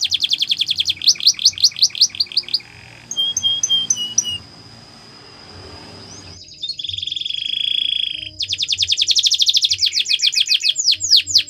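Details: Canary training song: rapid buzzy trills of repeated high notes, a few sharp whistled notes and a long flat whistled tone, then a steady pure whistled trill followed by fast rolling note series, with a faint background hum.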